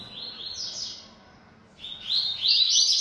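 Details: Yellow-bellied seedeater, a caged bird singing boldly and at length. Two bright, fast twittering phrases of high slurred notes, separated by a short pause; the second is louder and more jumbled. The surroundings are otherwise quiet.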